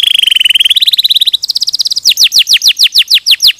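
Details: Canary song from a training recording meant for tutoring other canaries: fast trills of repeated notes, first level and dense, then rising in pitch into louder, slower downward-sweeping whistles repeated about three to four per second.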